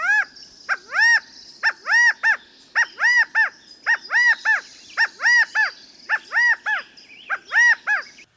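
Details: California quail rally or assembly call, 'chi-CA-go' (cacao-cow): loud nasal three-note calls with the middle note highest, repeated about once a second over a faint high hiss.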